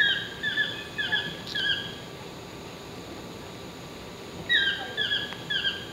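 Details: Chestnut-mandibled toucan sits in a tree at La Baula Lodge, Tortuguero, Costa Rica, on April 15, 2014, giving two bursts of loud, yelping, down-slurred notes in quick succession, separated by a few seconds of quiet, over soft hiss.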